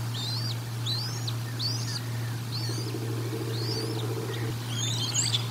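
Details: Nest-camera recording of a bald eagle at the Decorah North nest while feeding, 1 April 2022: high arched whistled notes repeated roughly every half second, a low buzzy rattle midway, and a steady background hum.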